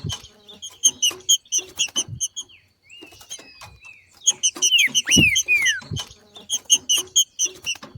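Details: Female green-winged saltator singing like a male outdoors, a song meant to rouse other saltators: scattered sharp chips, a soft thin whistle, then a cluster of loud curved whistled slurs before the chips resume.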